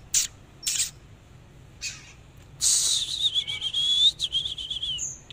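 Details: Oriental magpie-robin in a dancing display: several sharp, separate clicking notes, then a sustained high trilling whistle that wavers and rises before fading into a thin final note.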